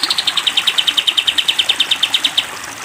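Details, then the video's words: Sooty-headed bulbul singing the long 'tembak panjang' style for cage-bird training: about twenty-two sharp, high chipping notes delivered quickly and evenly over two and a half seconds, then quiet hiss. "masteran kapas tembak panjang"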